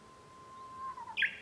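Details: Japanese bush warbler heard from a room at home on 5 May 2013: a steady low whistle held for about a second, then a quick, louder, higher flourish of two or three sharp notes.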